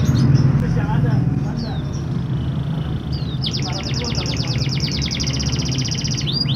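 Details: Canary song used to coax a reluctant canary to sing: a few faint whistles, then a long, rapid, evenly pulsed trill for about three seconds, with low background noise and some voices at the start.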